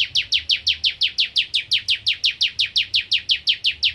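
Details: Bar-winged prinia (ciblek kristal) in active, full song in the 'nembak ngentrok' style: a fast, steady run of about nineteen sharp, downslurred chip notes, nearly five per second, with no pause.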